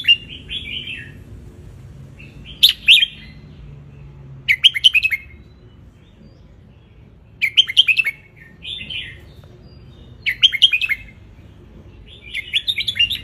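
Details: Wild-type red-whiskered bulbul from Ratchaburi, Thailand, sunbathing and singing a tutor song for young birds: short cheerful warbled phrases repeated about every two to three seconds, each with a loud, sharp note.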